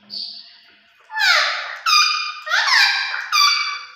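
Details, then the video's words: Parrot vocalizing indoors: a thin high note, then four loud, harsh, strongly harmonic squawks about every 0.7 seconds, some sweeping down and others rising, in a small quiet room. "Parrot Talking Vice Sounds"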